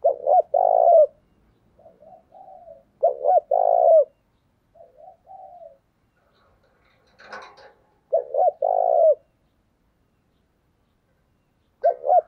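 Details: Decoy spotted dove in giọng thổ voice, calling to lure and provoke wild doves: loud three-part coo phrases repeated about every three to four seconds, each followed by softer low coos, with a brief rustle midway.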